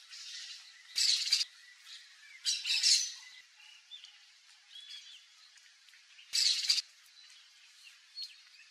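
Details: Crested caracara uttering short, grating, broadband bursts, two close together and a third after a pause, with faint chirps of other birds in between.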